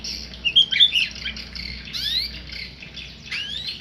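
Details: Tame white-rumped shama uttering a quick cluster of bright, high chirps, then several rising sweeps, with a continuous hiss and low hum throughout.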